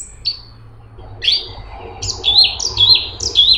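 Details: Cungkok, a straw-headed bulbul, delivering a tight, busy song. After a brief high whistle and a pause, looping fluty notes rise and fall in a quick string of about six phrases, accelerating toward the end over a quiet background hum.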